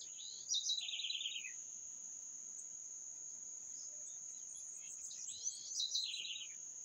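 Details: Bird song: two short phrases, each sliding down from a high whistle into a fast descending trill, several seconds apart, over a steady high-pitched insect drone.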